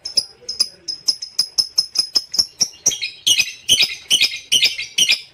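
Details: Lovebird kept in a cage, from a continuous training recording for other songbirds: a steady series of thin sharp high chips about three per second, shifting into louder harsh buzzy double chirps at the same quick pace.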